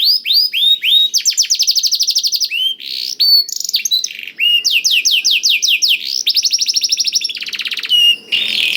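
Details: Blackthroat-tutored canary singing, used to coax canaries into song; varied phrases of rolling trills and slurred whistles, ending with a brief harsh sound.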